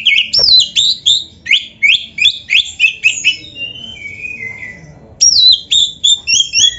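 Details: Oriental magpie-robin delivering a rich, mimicry-filled song: a rapid run of sharp, descending whistled notes about three per second, a brief lower warbling passage, then another quick series of piercing downslurred whistles.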